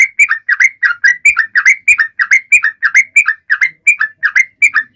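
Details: Sooty-headed bulbul giving a lively, busy song to trigger singing in other birds; clear short bubbly notes alternating higher and lower, evenly repeated several times a second, with a few faint taps underneath.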